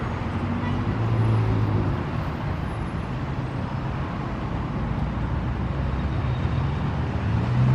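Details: Heavy, steady road traffic with engines and passing cars and buses rumbles through a city street in Santiago de Chile during winter in July, with no animal voices.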